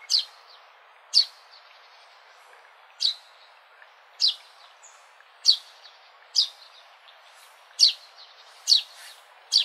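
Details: High, sharp sparrow chirps repeated at uneven intervals of one to two seconds, growing slightly quicker toward the end, over a quiet background hiss.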